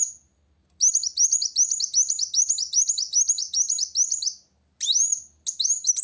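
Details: Sunbird known locally as kolibri wulung, singing to challenge a rival: a rapid run of high, sharp chirping notes at a steady pace, then a brief silence and a few longer upswept whistles.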